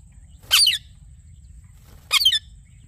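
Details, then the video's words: Yellow ringneck parrot giving two harsh, screechy squawks about one and a half seconds apart, each short and broad-toned, over a quiet low background hum. "Yellow Ringneck Parrot Nature Video | Parrot Sounds/Voices"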